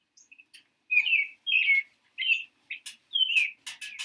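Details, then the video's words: Robin song from the Boston area: rich whistled caroling phrases, some rising then falling, mixed with a few faint high chips and sharp clicking noises toward the end. "A robin sounds like this."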